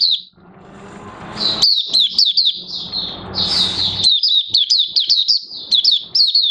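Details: Oriental white-eye in a cage, August 2022, new white feathers almost complete; after a soft hiss, a long stream of high rapid twittering notes with small breaks, steady and continuous.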